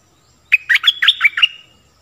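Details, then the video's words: Stripe-throated bulbul song used for teaching young birds and luring wild birds: a clear one-second phrase of six quick liquid, warbled notes around mid-high pitch, ending in a short fading trill, with a quiet background. "เสียงต่อนกดอกแตงEp.38 Birds sounds เสียงชัด เปิดดอกหลายเพลงนกป่าเข้า100%"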